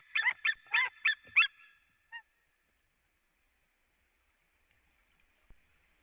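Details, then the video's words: At a Latvian White-tailed eagle nest on 4 March 2017 at 16:30, the pair calls from afar and then both arrive calling: five loud, yelping, goose-like notes in quick succession, then one short final note. "Eagles call from afar. Both arrived and call"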